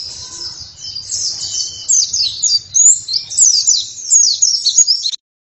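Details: Oriental white-eye singing vigorously, a sustained high-pitched chattering warble of fast twittered and slurred notes lasting about five seconds, then stopping abruptly.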